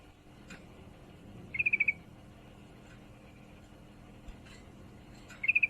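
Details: Female sooty-headed bulbul in heat calling for a male, with two tight bursts of five quick high chips roughly four seconds apart, a faint click or two and a low hum between.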